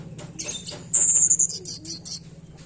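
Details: Tledekan lure song meant to coax a bird that is slow to sing: a long thin high whistle, then a quick string of bright clipped notes over a low constant hum.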